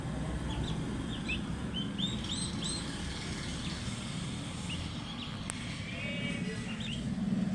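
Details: Several turkey chicks calling with short, high, upslurred whistled peeps scattered through the recording over a steady low rumble of background noise.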